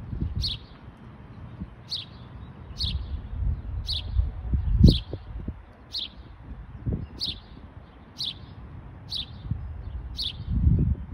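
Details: A house sparrow in Michigan repeats a crisp high chirp about ten times, close to once a second, steady and even, over a quiet low rumble of outdoor noise.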